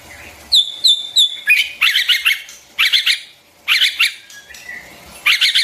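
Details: White-rumped shama singing, used for training young birds' song: clear high whistled notes repeated three times, then rapid bursts of jumbled chattering phrases in quick succession.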